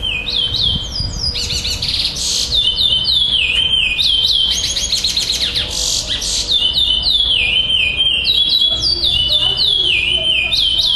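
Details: Chestnut-bellied seed finch (Sporophila angolensis) singing in a song tournament in Florianópolis, Brazil, 11 December 2011: a fast, high, sweet warble of slurred whistles and rapid trills, phrases almost continuous over a faint background murmur.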